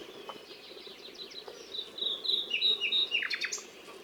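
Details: Nightingale song, fairly quiet: soft scattered notes build into a series of whistled, slightly rising phrases and a few sharp chirps near the end, with steady low background noise.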